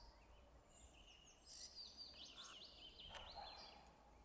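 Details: Song thrush singing on 2 April 2016 in the Zabrzeg forest district near Bielsko, southern Poland: a run of sharp, varied whistled and chirping phrases, some notes repeated in quick bursts, over a low background rumble.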